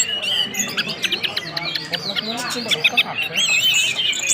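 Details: Orange-headed thrush sounding whistles and ngeplong song: quick uneven ticking and chipping notes about four a second, then a clearer wavering whistled phrase near the end, over a low hum.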